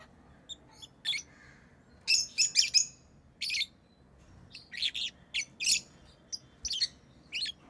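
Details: Pet lovebirds chirping: short, sharp high-pitched chirps and squeaky notes in scattered bursts, some in quick clusters of three or four, with quiet gaps between; a faint low hum sits underneath.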